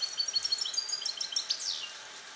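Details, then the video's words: European goldfinch, born in captivity in 2021 and taught the Neapolitan passata, in a small cage: quick bright twittering notes running together, closing with a buzzy descending slur, against steady hiss. "Cardellino Passata Napoletana 2021 - KH24 - European Goldfinch - Jilguero cate limpio"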